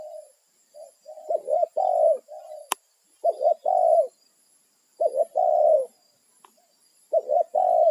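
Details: Wild spotted dove, territorial, calling to its companions; repeated cooing phrases of quick double notes and longer sustained coos, about four phrases with short gaps, and one sharp click partway through.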